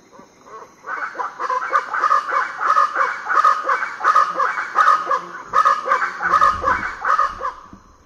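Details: Variable chachalacas calling before dawn on Foengoe Island, Suriname: a loud, harsh, rhythmic chorus of repeated raucous notes, several birds overlapping in a rapid, grating cadence for about seven seconds.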